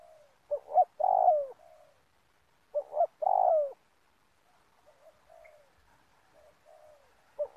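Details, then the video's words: Spotted dove cooing at a community oil palm plantation while being used to lure birds into a trap: two low coo phrases about two seconds apart, each a quick double note ending in a long falling hoot, with faint softer coos afterward. "Mikat Tekukur"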